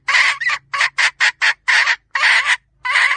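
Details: Female red junglefowl lure call made of loud, broad, grating clucks at an uneven pace, some notes drawn out longer, over a low steady hum.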